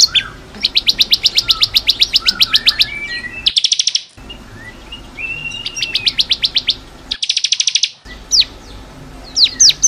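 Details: Bar-winged prinia training song for caged birds. Long steady trains of quick repeated notes run about four per second, with dense buzzy trills and some soft lower chirps, interrupted by cut silences.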